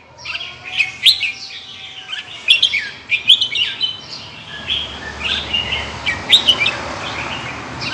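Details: Indonesian red-whiskered bulbul with large red cheek patches, giving 'ché' chattering song: quick, scratchy warbles and high sharp notes in clusters, over a steady hiss of background noise that grows louder toward the end.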